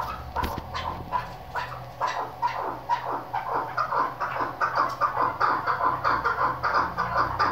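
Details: Female chukar partridge (Alectoris chukar), used as a hunting call, giving quick clucking chuck notes, about two or three per second, building into a steady chattering series.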